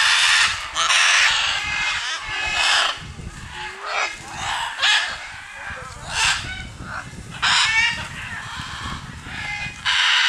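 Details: Wild scarlet macaws at a wildlife reserve in Punta Islita, Costa Rica, descending from a Guanacaste tree, give loud, harsh, raspy squawks in irregular bursts, roughly one or two a second, several birds calling over one another.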